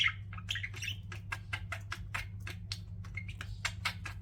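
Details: Chirping pet budgerigars: a steady patter of short clicky tweets and sharp chirps, fast and slightly uneven, with a faint low hum underneath.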